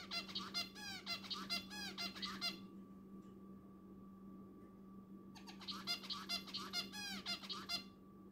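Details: Pet zebra finch singing while preening: bursts of rapid harmonic, nasal notes with repeated downward-curving motifs, about two seconds each and separated by a pause, over a steady low electrical hum indoors.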